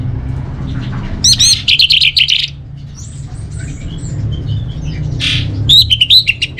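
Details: Orange-headed thrush song: bursts of loud, rapid, scratchy chattering notes, a pause with thin high whistles, then another harsh rattling burst, over low background hum.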